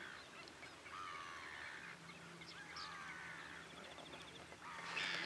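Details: A flock of wrybills at Miranda in February 2012 gives harsh, nasal, overlapping calls in a steady chatter, with a faint low hum in the background.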